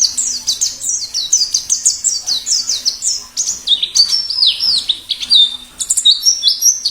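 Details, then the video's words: White-eye from the wild giving plengi ngalas song. A long, fast warble of high, downslurred whistles shifts into lower, varied twittering phrases partway through and then climbs again. A faint steady hum lies beneath. "Suara plengi ngalas"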